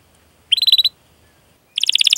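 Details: Canary singing 'cuit cuit' rolling (ngerol) song, a master song for young, untrained or silent canaries: two brief, fairly quiet bursts of rapid pulsed trill separated by nearly a second of silence.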